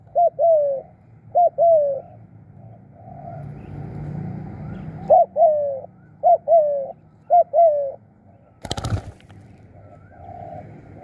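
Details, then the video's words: Spotted dove used as a decoy for trapping, calling 'khu' and 'khrun' in repeated pairs of short quavering and longer falling coos. Six pairs come in quick succession, with a low rumble and one sharp knock near the end. "ตามนกเรียกคู รู้ครุน"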